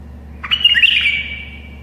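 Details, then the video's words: A tame bulbul sings one loud, fluty phrase of tumbling whistled notes that settles into a drawn-out even tail, meant to help other bulbuls learn to sing; a low steady hum sits underneath. "تغريد بلبل أليف يساعد البلابل القافلة على التغريد."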